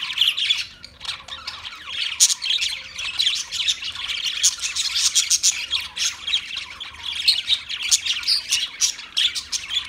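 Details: Budgerigars chattering without pause: dense, scratchy chirps and squawks overlapping in rapid bursts, high and buzzy, rising and falling in loudness across the whole stretch.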